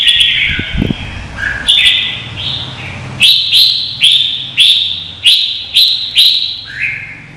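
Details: Vietnamese red-whiskered bulbul contest song used to rouse and train other bulbuls. Warbled phrases open the clip, then a crisp whistled note with a sharp start repeats roughly every two thirds of a second, about seven times, fading at the end.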